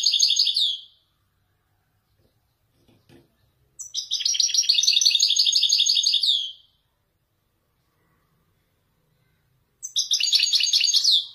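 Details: Moroccan Widani goldfinch showing off authentic Marrakech-style nzoulat song: three loud bursts of rapid, buzzy, high twittering, the middle one about three seconds long, separated by silence with faint knocking.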